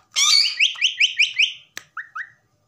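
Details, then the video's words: A pet common myna opens with a harsh, grating burst, then whistles five quick rising notes, gives a sharp click, and ends with two lower upslurred whistles. "myna whistling"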